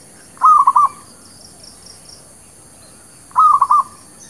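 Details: Zebra dove, a village bird, cooing as bait to attract birds for trapping and for new birds; two bursts of stuttering, bubbling coos about three seconds apart, with a thin steady hiss high above.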